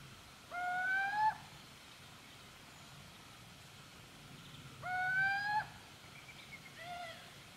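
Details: Little owl calling in Gmina Podedwórze, Poland, on 2 November 2018: two clear, slightly rising whistled notes about four seconds apart, each under a second long, followed by a softer, shorter third note; quiet background hiss.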